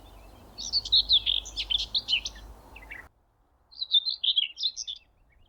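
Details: Common Whitethroat singing close by at Thurrock Thameside Nature Park, from a bush and power lines beside a railway: two short scratchy, chattering warbled phrases, the first over steady low rumbling noise, the second in quiet.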